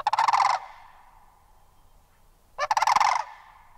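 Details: Sandhill crane giving two loud rolling, pulsed bursts of rattling bugle, each about half a second long, separated by a two-second silent gap; rich harmonic tone with no other clear sounds.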